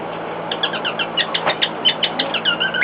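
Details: Domestic cockatiel, excited by a hairdryer operating in another room, gives a rapid series of short repeated chirping notes, about five per second, ending in a longer upward whistle, with steady machine noise behind.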